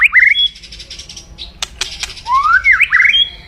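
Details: White-rumped shama in loud, aggressive crackling 'kretekan' song aimed at provoking rivals. Rising whistled slurs open and close the phrase, broken by harsh raspy crackles and sharp clicks.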